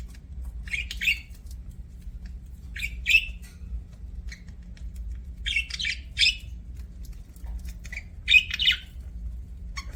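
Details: Budgie chirping sounds: brief raspy squawks in small bunches about every two to three seconds, quiet between, with a steady low hum behind.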